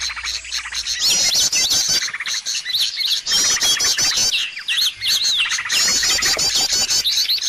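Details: Bird lure sound used to attract birds: a busy flock chattering with fast, high, scratchy chirps and wavering trills, packed almost without pause.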